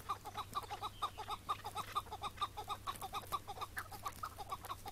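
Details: Wild Chukar partridge on a May 2017 morning, caught and later released where it was taken. It gives a steady run of short, clucking chuk notes, just over two per second, evenly spaced and similar in pitch, over low background hum.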